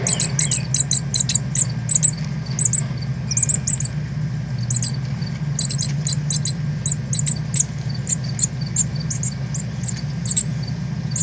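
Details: Northern cardinals on 13 August 2020, when the young are leaving the nest and learning to fly, give thin, high-pitched notes, often doubled, several times a second over a steady low rumble.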